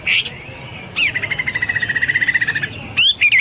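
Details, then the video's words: Hwamei song used for tutoring pet birds: a short sharp note, then a long, even, fast trill on one steady pitch lasting almost two seconds, ending in a couple of bright whistled notes. "Burung Hoa Mi gacor"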